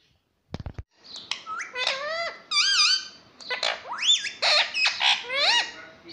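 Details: Pet ring-necked parakeet talking, saying "mummy" and "papa". After a few clicks, a string of loud, squeaky, word-like notes with bending, swooping pitch runs nearly continuously.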